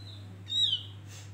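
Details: Javan grey-throated white-eye male lure song: a single bright, high whistle sliding downward, followed by a brief soft rustle, over a low background hum.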